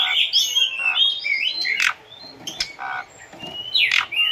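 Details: Asian pied starling song meant for training captive birds: mixed whistled slurs, rising squeaks and harsh rasping notes in irregular bursts, with quieter gaps and a low background hiss.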